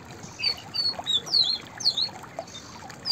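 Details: White-browed fantail singing a series of thin, high whistled notes, some sliding up or down, spaced irregularly through the phrase over a soft background hiss.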